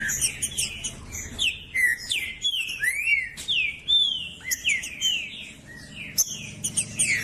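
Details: Green-winged saltator, a female calling to stimulate a male to sing, with a male singing: loud slurred whistled notes, many falling or rising, in quick irregular phrases, with some sharp high chips and a low background hum.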